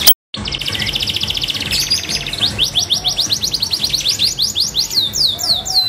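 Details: Canary (kenari) of F2 generation singing: a fast buzzy trill near the start, then a run of rapid rising sweeping whistles repeated several times a second, with faint low hum beneath.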